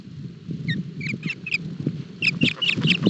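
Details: Osprey chicks at breakfast feeding in Barlinek Forest nest, Poland, 7 July 2022. Rapid high chirping and piping repeats, several notes per second, over constant low rustling and tearing sounds.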